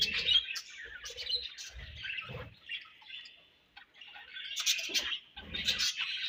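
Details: Several budgerigars feeding and exchanging food, giving dense, overlapping high chirps and warbles in bursts with short pauses, with soft low thumps from the birds moving about.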